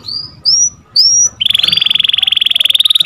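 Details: Canary song used as masteran (tutor recording) for canaries that have stopped singing: three rising whistled notes, then a rapid, even, buzzy trill held steadily to the end.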